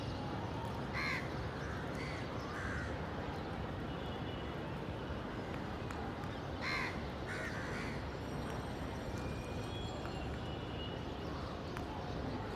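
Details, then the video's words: Crows cawing outdoors: harsh, broad-banded caws around one, two and three seconds, a louder burst near seven seconds and another cluster around eight seconds, over a steady low rumble of background noise. "Crows Cawing Natural Sounds"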